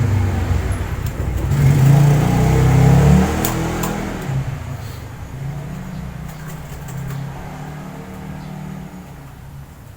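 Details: A car engine revs loudly, then fades into a low rumble, with brief speech and clatter and no animal calls.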